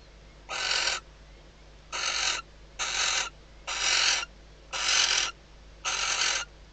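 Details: Nesting female barn owl in a Riet Vell Nature Reserve nest box, Spain, calling after detecting the male at the outside perch, before they mate. Six harsh hissing screeches, evenly spaced about once a second.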